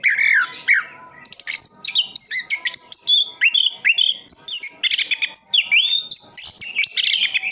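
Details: Orange-headed thrush, a kept bird described as easy to care for and a steady non-stop singer, delivering a rich, varied run of whistles, chirps and mimic-like phrases with sharp high notes and short pauses between bursts.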